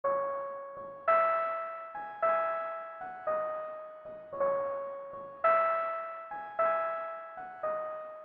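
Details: Soft electric piano music plays sustained chords, with a new chord struck about once a second, and no animal sounds.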